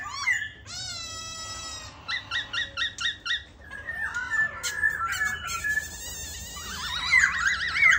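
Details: Cage-kept White-cheeked laughingthrush singing and dancing: a drawn-out ringing note, then a run of short repeated metallic chirps, slurred downward whistles and a fast warbling trill at the end.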